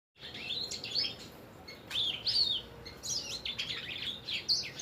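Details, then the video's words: Sanger bird singing actively, recorded as a masteran training track for caged songbirds: bursts of quick high chirps and twittering notes, with short pauses between phrases and faint background hiss. "MASTERAN Suara ASLI Burung Sanger Gacor"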